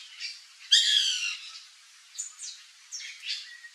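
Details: White woodpecker in a fruit-tree backyard giving a strong harsh nasal call lasting about half a second, then several softer rising squeaky notes.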